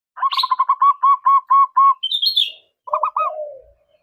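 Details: Zebra dove singing to call a rival and provoke a reply: a fast run of clipped, even notes near one pitch, then a brief higher whistled sweep, ending with a few lower cooing notes that slide down.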